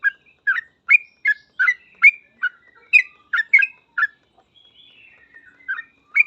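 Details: Yellow-vented bulbul singing in the full 'gacor ropel' style: a quick run of short, bright chirped notes, alternating higher and lower, then a brief thin whistle after a pause and more chirps.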